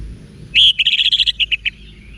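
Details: Orange-headed thrush wiksar song for stirring caged birds to reply: one strong whistle followed by a rapid even series of about ten short clear notes, slowing at the end, over faint low hum.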